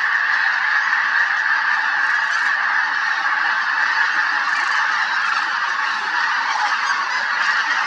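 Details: A large flock of snow geese flying at Merced National Wildlife Refuge on 21 February 2021 keeps up a steady, unbroken clamor of nasal, high-pitched honks that overlap without a pause.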